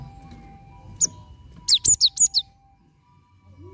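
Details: Cinereous tit song played as a lure to get a bird that has stopped singing to sing again: a quick burst of five high, sharp, falling whistled notes after one isolated chirp, over a faint low hum.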